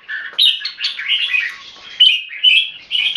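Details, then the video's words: Singapore-raised red-whiskered bulbul singing: a continuous run of warbled, fluty whistles that slide up and down, ending with sharper bright notes. "นกหัวจุก JAMBUL - SOLID CLEAR KEKE & SINGING"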